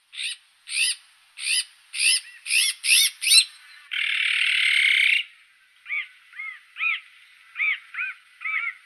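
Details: Azure-winged magpie giving a quick series of short, nasal, arched notes, then one long harsh rasp, followed by several softer, lower, rising-falling call notes.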